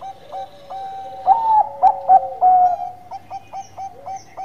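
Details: Song of a Bangkok perkutut zebra dove: short notes rising into four loud accented whistles, then a series of brief even notes repeated about every quarter second.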